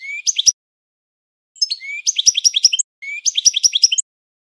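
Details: European goldfinch training song in classic singing style: three bursts of bright, rapid twittering and tinkling notes high in pitch, each phrase under a second and separated by short silences; no other sounds.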